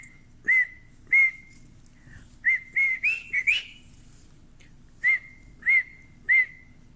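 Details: Male pet cockatiel singing indoors when coaxed: clear mid-pitched whistles with a slight rise and fall, about a second apart, with a quicker warbled run in the middle, over faint room hum.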